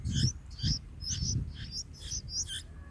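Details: Bulbul nestlings at a feeding on the fourth day in the nest: rapid high twittering chirps in quick succession over repeated low, dull thumps from jostling in the nest.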